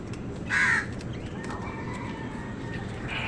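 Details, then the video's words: A single harsh, broad caw from a crow, lasting about a third of a second, as wild birds and crows fight over food; faint background hiss follows. "কাকের ডাক crow sound Wild birds fight with crows for food | Crows fight with birds for food"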